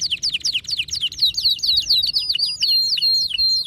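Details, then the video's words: Excited male canary singing repeated downward-sweeping whistled notes that speed up into a tight high trill with sharp ringing accents. "هيجان ذكرى كناري سيجبر كناريك على التغريد فورا"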